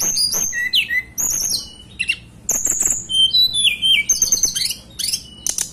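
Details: Blue flycatcher from the mountains of Banten and West Java, Indonesia, in full song: a rich, varied stream of high clear whistles, trills and sharp chips, some phrases gliding up or down.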